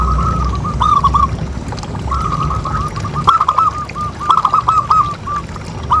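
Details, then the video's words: Zebra dove call used to prompt other doves to keep calling: rapid, trilling coos repeated in bursts of short rolling notes, with a pause and then a faster, choppier run, over a low background rumble. "Suara Paling Ampuh Untuk Pancingan Burung Perkutut Agar Bunyi Terus"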